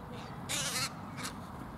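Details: Hybrid crow with unusual white-feathered markings, calling in the open: one loud harsh caw lasting about a third of a second, then a shorter fainter caw, over low steady background rumble.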